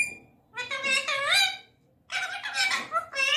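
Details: Indian ringneck parakeet mimicking speech: two bursts of words made of clear, gliding harmonic syllables, strong in the upper range, separated by a brief silent gap.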